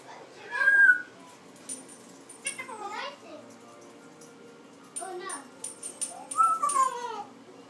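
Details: Six-month-old pet African grey parrot playing on its rope swings indoors; bursts of throaty, speech-like chatter with curving whistled notes, one loud whistle early, then quieter gaps and a second cluster of sliding vocal sounds near the end.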